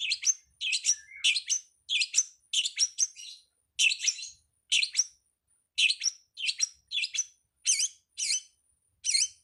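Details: Master recording of a cowet for training songbirds: bright high chirps, often paired, sounding in a quick rhythm of roughly one or two per second, each with a sharp, slightly buzzy tone; no other sounds.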